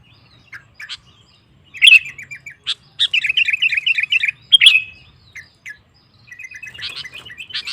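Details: Sooty-headed bulbul singing to provoke rival males: soft, scattered notes, then a loud, fluty, warbling run of quick slurred whistles, a pause, and more quiet chatter.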